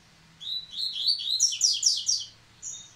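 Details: Rusty-collared seedeater back in song after its moult, delivering a rapid run of high chirps and slurred whistles that climb into dense buzzy strokes, then a brief separate whistled note; low steady hum in the room.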